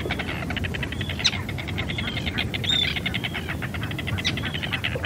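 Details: Arctic terns giving fast, harsh, high chattering notes, about ten a second, with a few sharper piercing cries, over steady wind rumble; field recording made in natural surroundings.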